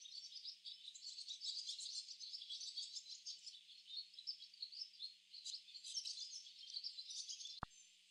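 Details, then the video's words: A flock of barn swallows gathering in a tree chatter in a continuous, overlapping stream of high twittering chirps from many birds, ending in a single sharp click. "Barn swallow chirping sounds"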